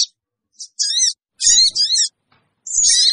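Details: Sooty-headed bulbul lure call used to make wild birds gather quickly: bursts of very high, rapid, chevron-shaped chirps separated by short silences, with fainter lower notes beneath.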